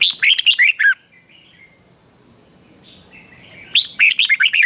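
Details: Training song from a lively caged red-whiskered bulbul: a fast burst of bright, bubbling slurred notes, a pause of nearly three seconds with faint soft notes, then another energetic warbled phrase.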